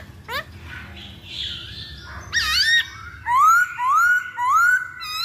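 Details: Masked laughingthrush sound used as a lure to get birds singing: a sharp upslurred note and a rough harmonic call, then three loud, clear rising whistles about half a second apart.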